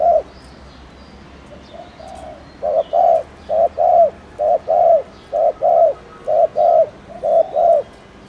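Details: Spotted dove in 'gù' (bo) cooing style at fast tempo: after a quiet start with a few soft notes, a run of hollow, mid-pitched coos follows in rapid pairs, short then drawn-out, about one pair each second.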